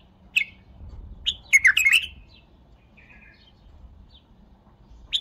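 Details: Bulbul delivering one chirp, then a quick, rich, bubbling phrase of several warbled notes and a soft trailing note, closing with a final sharp chirp.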